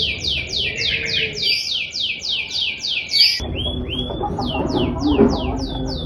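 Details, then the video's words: Local canary song used as a lure to prompt other canaries to sing: fast series of high, downward-sweeping notes repeated in rolls, with an abrupt change of phrase midway over a steady background hiss. "pancingan kenari lokal gacor"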